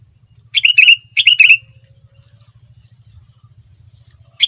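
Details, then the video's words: Sooty-headed bulbul song, played as a lure to draw other bulbuls into answering: two short bubbly chirping phrases in quick succession, each under half a second, then a third beginning, over a low steady hum. "Kutilang Super Gacor Full Isian Mahal, Semua Burung Kutilang Ikut Nyaut dengan pancingan ini"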